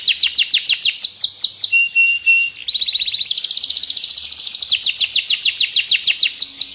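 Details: Atlantic canary's continuous training song for lazy or young canaries: bright repeated descending sweeps, a short steady whistle, then a long dense buzzy trill running into more rhythmic high slurred notes.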